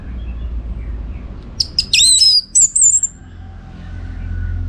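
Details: Orange-headed thrush delivering one short, loud burst of song as training material for contest birds: rapid high sweeping whistles and a thin trilling flourish, with low background rumble before and after.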